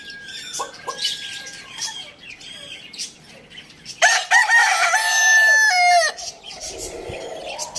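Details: Rooster crowing in the morning: after soft background clucks and chirps, a loud, drawn-out harmonic crow lasting about two seconds that rises, holds, then drops sharply at the end.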